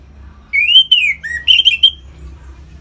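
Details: Orange-headed thrush singing 'ngeplong' to push captive birds into breeding condition: a smooth, gliding whistled phrase that rises then dips low, followed by a few quick, sharper whistled notes.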